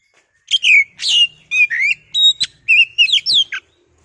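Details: Oriental magpie-robin, a kept bird, pouring out a continuous string of loud whistled, slurred notes with buzzy and chipping elements, about eight phrases in three seconds.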